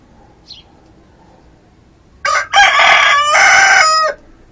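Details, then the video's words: One of two crowing roosters, a red and a speckled bird; a faint chirp early on, then a loud, rough, rich crow lasting nearly two seconds, opening in broken bursts and holding a long final note. "dos gallos cantando"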